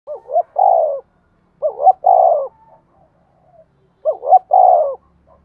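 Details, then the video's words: Spotted dove decoy bird cooing to stir other doves into calling: three phrases, each two short rising notes then a longer, falling, breathy coo, spaced about two seconds apart, in otherwise quiet surroundings. "tiếng cu mồi thúc bổi, anh em cứ mở vdeo này là bảo đảm gáy 100%"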